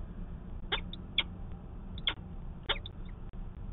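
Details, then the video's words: At a nest in Manchester, New Hampshire, a peregrine falcon gives four sharp, high-pitched calls in February 2020 during a conference at the nest. Low background hum runs underneath. "Manchester, NH Peregrine Falcon - Conference with no angry Mom"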